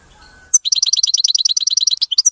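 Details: European goldfinch, a captive songbird, singing a clean, fault-free song: after half a second of quiet, a fast even run of high twittering notes repeated about eight times a second, ending in a few sharper chips.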